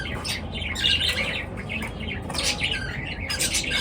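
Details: Pet birds calling in the morning: continuous harsh, high squawky chirps overlapping in a noisy chatter, rising and falling in short waves with no clear pauses.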